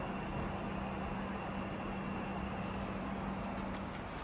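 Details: Steady low electrical hum over broadband hiss, with a few faint ticks near the end and no animal voice.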